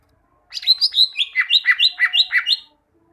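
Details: Greater green leafbird kept as a caged bird, song used to train other caged birds to sing: a rapid run of about a dozen bright, slurred whistled notes alternating high and lower, lasting two seconds.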